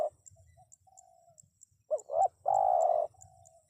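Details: Spotted dove giving a single call of two quick bent notes and a strong half-second purring coo. Quieter drawn notes come before and after, with steady faint high ticking.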